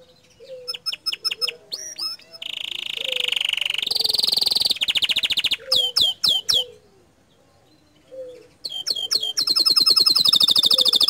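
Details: Bottle-green canary singing a tutor song whose bursts stir other canaries: quick stacks of sharp high chips, then loud buzzy high rolls and fast trills in bursts, with brief pauses and a low soft warble beneath.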